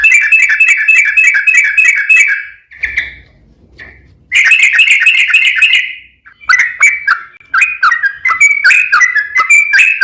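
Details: Yellow-vented bulbul, 'ropel panjang' lure song for drawing other bulbuls to sing. A fast rolling trill is broken by a short pause, a second trill follows, then scattered bubbly chirps.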